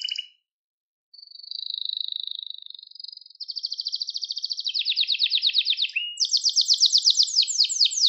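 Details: Canary kızıştırma song for bird training: a couple of short notes, a pause, then a level buzzy trill that gives way to faster, louder rolls climbing higher in pitch.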